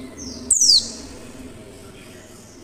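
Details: Female Oriental white-eye calling to prompt other white-eyes to sing: a single loud, thin downward-sweeping chirp against a steady low hum, with the start of another chirp at the very end.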